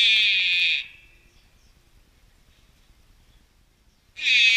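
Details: Malayan night heron (Gorsachius melanolophus) fledgling at a wild bird rescue centre, begging constantly: two loud, harsh, buzzy rasps, each under a second long and about three seconds apart, with near-silence between.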